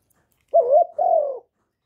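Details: Spotted dove calling and cooing, recorded without background noise: a single two-part coo, a short rising note sliding into a longer, smooth falling note, lasting about one second in otherwise silent surroundings.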